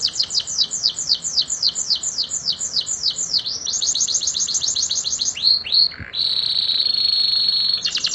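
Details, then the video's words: Canary in full 'roll tembak' song with pauses, used as a master recording for training songbirds: fast runs of high downslurred notes repeated several times a second, then a quicker trill, two swooping notes and a long steady high buzzing roll. "Kenari gacor roll tembak"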